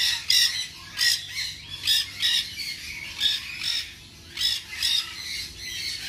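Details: A ringed, tame-sized baby nanday conure at a Bangabazar market pet shop calls with loud grating squawks, about seven separate bursts spaced under a second apart.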